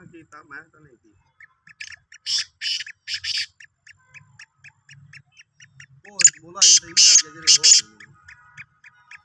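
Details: Black francolin, Sindhi type, recorded 16 March 2023: two phrases of harsh, grating, buzzy notes, four or five in each, separated by faint ticking; a lower wavering voice or call sounds near the second phrase.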